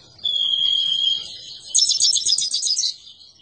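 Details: Himalayan goldfinch song opening with a steady, thin, high whistle held for about a second, followed by a fast, loud series of sharp twittering notes repeated several times per second.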